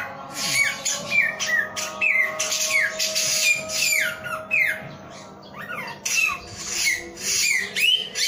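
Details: Male samyong singing energetically: loud, clear whistled notes that slur downward, given one after another in short bursts with brief pauses, over a steady low electrical hum.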